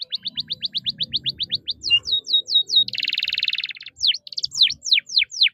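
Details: Singing canary with chirping and long rolls, used to teach young canaries: a rapid train of short thin notes, loud swooping whistles, a dense buzzy roll, then more sharp descending swoops, with faint low rustling beneath.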